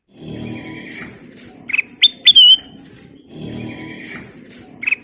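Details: Nyiul-style song of a black-crested bulbul, singing vigorously: a few clear whistled notes ending in a downward slur, set against a continuous low rumbling noise.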